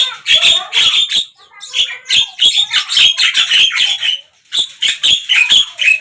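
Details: Javan myna singing in morning, midday and evening sessions: quick runs of scratchy, squeaky notes with short whistled tones, broken by two brief silences.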